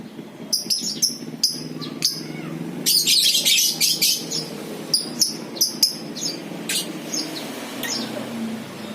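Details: Lovebird in ngekek mode for luring other birds: sharp isolated high chirps, a harsh, dense trilled burst of about a second and a half, then more scattered shrill notes over a low hum.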